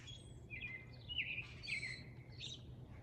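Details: Male grackles displaying give shrill, squeaky whistles and harsh rising notes in quick bursts, several overlapping, over a low steady hum.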